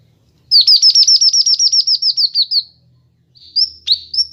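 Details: Kinoi bird song from a master recording used to train and lure birds: a quick run of about fifteen sharp, high, down-slurred chirps that slowly fall in pitch, then a pause and a few thin rising whistles.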